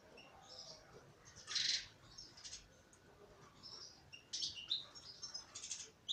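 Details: Female European goldfinch: a loud, high chirping burst, then softer twitters and a further run of bright chirps near the end, over steady background hiss.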